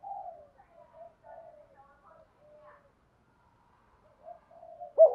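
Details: Spotted dove giving soft, broken cooing in the thúc gù style: low, hollow notes in short bursts with gaps, then a louder closing coo. The setting is quiet with no other sounds.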